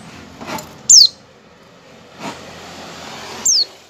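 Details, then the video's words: Oriental white-eye calling, used as a lure for other white-eyes: two brief, piercing, high downward-sliding notes about two and a half seconds apart, with soft rustling noise in the background. "pleci ngecal-ngecal buat pancingan pleci agar pleci buka paruh dan pleci gacor"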